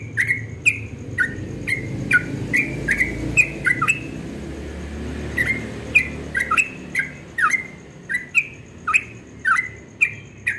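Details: Yellow-vented bulbul singing in the rapid ropel style at dawn: a fast run of short, bright chirps with slurred, dropping notes, a brief pause midway, then the run resumes over a low background rumble.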